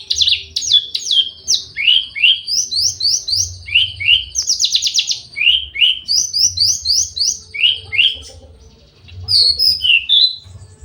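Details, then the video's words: Javan bush lark in breeding condition, courting and aggressive: rapid series of high falling whistles, about three per second, broken by a buzzy trill and a short pause before resuming. "branjangan lagi over birahi minta kawin"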